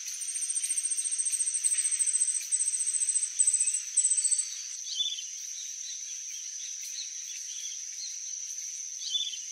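A Glittering-bellied Emerald gives a very high, thin, rapid ticking song in bursts for about four seconds, over a steady high insect hiss, with a few faint chips after.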